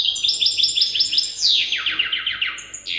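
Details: Learning-stage song of a European goldfinch hybrid taught by an older bird: quick high chirps in a run, then a cascade of falling notes, ending with a thin high whistle and a renewed buzz.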